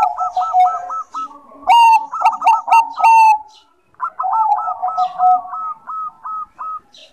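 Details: Bangkok-type zebra dove in full song, used as a lure for birds reluctant to sing: staccato, bubbling low coos in rapid trills, overlapped by a louder rolling phrase with ringing notes, then another run of soft repeated coos.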